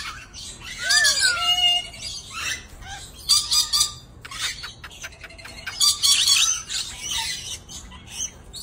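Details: A pair of dusky lories giving harsh, raspy screeching squawks in loud bursts near the first, third and sixth seconds, mixed with a few short whistled, down-slurred notes, with quieter chatter between bursts.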